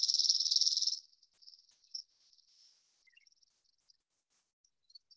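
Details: Chipping Sparrow song, from a Colorado sparrow identification workshop: a dry, rapid, high trill of even chips lasting about a second, then fading into faint scattered high notes. It is similar to a junco's but less musical and usually longer.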